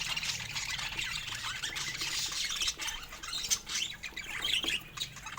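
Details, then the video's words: A group of pet budgies eats fruit, keeping up steady, overlapping high warbles and chirps, with a few sharper squeaks toward the end. "Cute Budgies Making Sweet Sounds While Eating Fruits"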